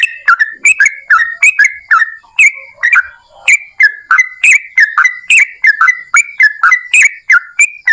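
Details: Lively yellow-vented bulbul song of the long 'ropel panjang' type, used to draw other bulbuls into singing; steady stream of bubbly, slurred whistled notes with crisp attacks, about three each second.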